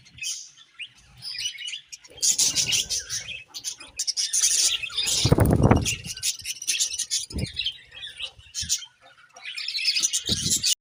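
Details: Several budgerigars chirping: dense, scratchy high chatter of quick chirps and warbles in irregular bursts, with short quiet gaps and a loud broadband rustle or wing flutter near the middle.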